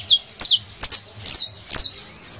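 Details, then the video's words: Canario de tierra criollo (saffron finch) song used to stimulate other birds to sing: four bright, high chirped notes, each a quick downward-sweeping whistle, spaced about half a second apart, with faint low background hum. "AUDIO PARA ESTMULAR CANTO DE CANRIO DE TERRA CRIOLLO"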